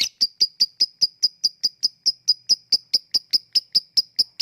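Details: Lovebird ticking in the 'ngetik' style, offered as a lure for lovebirds slow to sing. A longer opening note is followed by crisp, high clicks repeated evenly, a little over two per second, with no other noise.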